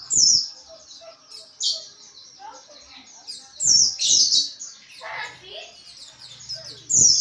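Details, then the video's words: White-eye, locally pleci, performing ngriwik chatter for training: thin high twitters at first, then loud fast bursts, a brief lower squeaky passage and a final sharp flourish. "Penggacor Pleci NGRIWIK"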